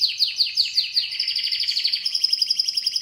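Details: Canary delivering a string of rapid downward-slurred chirps that flow into a fast, steady, high rolling trill.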